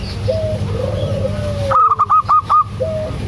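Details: Local zebra dove, a female calling the male: long, smooth, low coos that slide down, then a burst of five loud, short, clipped notes in quick succession, followed by another coo over steady low hum.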